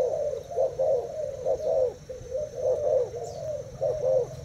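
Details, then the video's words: Spotted dove of Thai stock in a cage, competing against a decoy: gentle bubbling coos in groups separated by short pauses, low and mellow. "Cu gáy thailand đấu gù mồi trần"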